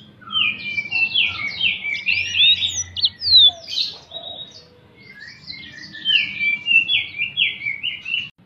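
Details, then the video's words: Wild yellow-fronted canary (mozambik) song used as a lure: bright twittering bursts of sharp upslurred and downslurred notes, a pause near the middle, then renewed rapid chirping phrases. "pancingan burung mozambik - suara burung di alam liar"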